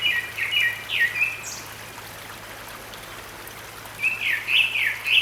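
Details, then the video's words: Grey-backed thrush song from a stream valley at Sinwonsa Temple, Korea, spring 2022: two phrases of bright, warbled, up-and-down whistles separated by a couple of seconds of flowing water sound. "되지빠귀 울음소리, 계곡물소리 Grey-backed Thrush singing, Sound of water in the valley"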